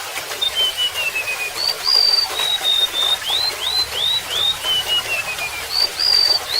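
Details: A high, thin descending run of whistles from a golden-bellied gerygone opens the song, followed by sustained level notes and a series of rising slurred whistles, repeated phrase by phrase over the rush of running water.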